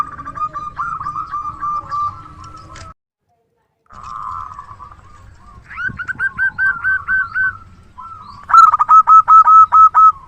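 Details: Native zebra dove, a loud and active singer kept as a luring decoy: rolling trilled coos broken by a short silence, then a rising series of sharp pulsed notes and a final loud run of clipped coos.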